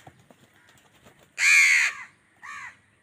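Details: An angry crow fighting with wild birds for food: faint scattered clicks and chatter, then one loud, harsh, hoarse caw lasting half a second, followed by a shorter, softer caw.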